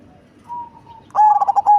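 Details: Large-bodied perkutut cemani zebra dove with a deep bass voice: a soft wavering coo, then a loud burst of quick pulsed notes closing on a sustained tone.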